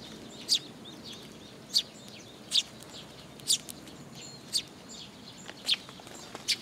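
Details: Eurasian tree sparrows coming to a post-mounted feeding spot at a Tenmangu shrine, June 26, 2022; seven or eight loud, piercing single chirps spaced roughly a second apart, against quiet background noise.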